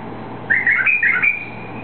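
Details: White-eared bulbul song from a bird that was then released, a species native to eastern Saudi Arabia: a short burst of rich, bubbling whistled notes, warbling up and down for about a second, over faint background hiss.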